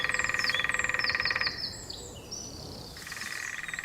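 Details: A female woodpecker drums on top of a dead ancient oak above a path, advertising territory to mates and rivals, in rapid, even rolls about 1.5 seconds long with pauses, while other birds give thin, high whistles.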